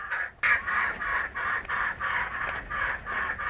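A kookaburra gives harsh, cackling notes in a fast, steady run of about three a second, rough and mid-pitched, with a faint high hiss behind.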